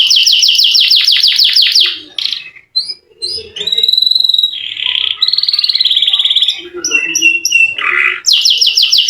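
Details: Canary singing a long rolling song, used to lure lazy canaries into singing: rapid repeated high sweeping notes, then buzzy trills and sustained rolls, with short whistled notes between phrases and a faint low hum beneath.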